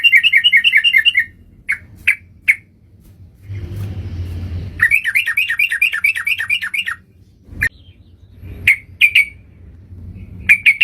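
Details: Sooty-headed bulbul calls played as a trapping lure: a run of rapid, even chattering notes, a stretch of low noise, then more quick rippling notes and scattered single chirps.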